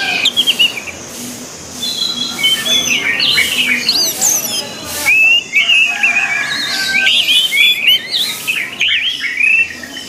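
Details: Song of an orange-headed thrush for training other birds of its kind: a rich run of warbled whistles and quick twittering notes, dense and varied, with brief sharp high accents and faint background noise.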